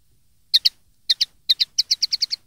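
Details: Song of the common linnet, recorded in 2013 as tutoring material for young birds: three pairs of sharp high chirps, then a rapid rattle of seven notes.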